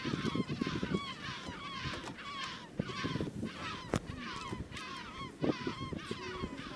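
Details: A subantarctic (brown) skua sits on the water beside a whale-watching boat in swelly seas in False Bay, South Africa, hoping for snacks. Harsh, nasal, gull-like calls rise and fall, several overlapping in quick succession over wind and water.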